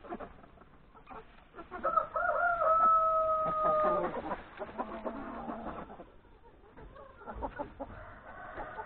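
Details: Hens and three roosters at breakfast in the yard before grazing in the forest; a rooster gives a sustained crow lasting about two seconds, amid rhythmic clucking from the flock.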